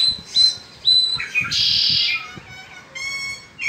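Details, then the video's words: Peninsular mockingbird singing in spring: varied, mixed phrases of clear high whistles, a harsh buzzy burst and a rising series of stacked notes, each phrase brief and quickly changing. "Hermoso Cenzontle Peninsular en Primavera."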